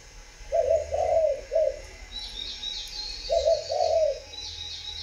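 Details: Spotted dove cooing: a three-note phrase of low, rounded coos, a pause, then two more coos, over faint high chirping from other birds.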